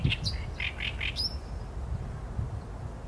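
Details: An Oriental reed warbler, captured with a Sony A7M3 and 200-600mm lens, gives a brief phrase of four or five harsh, croaky notes that stops after about one second, leaving only low rumbling noise.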